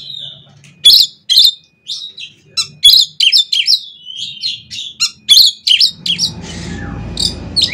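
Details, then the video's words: Oriental magpie-robin (kacer) singing to stimulate other birds: loud sharp bursts and rapid varied chirping phrases, ending with a brief rushing noise. "CUKUP DENGAN SUARA KACER INI, KACER LAIN JADI GACOR"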